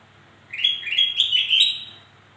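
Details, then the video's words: Brief, cheerful bulbul phrase of rolling, upward-stepping whistles from a black-crested bulbul, meant to lure other reluctant birds into song, over a constant faint low hum. "Suara Burung kutilang Emas Untuk Memancing Bunyi Burung Malas Bunyi"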